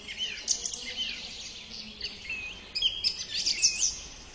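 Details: Thrush giving a continuous high, varied series of whistled and twittering phrases with quick rising and falling notes, in bursts separated by brief pauses; faint background hiss.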